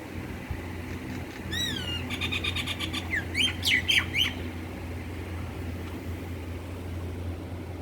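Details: Myna calling: a short burst of varied notes, first a few clear whistled sweeps rising and falling, then a rapid run of harsh, squawky chattering notes over about three seconds, with a steady low hum underneath throughout.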